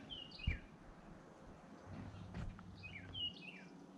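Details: Endangered male golden-cheeked warbler, right ahead on the Baker Springs trail in Austin in June 2020 at the end of a hike, gives two short, buzzy, high downward-slurred phrases about three seconds apart, over footsteps and handling noise.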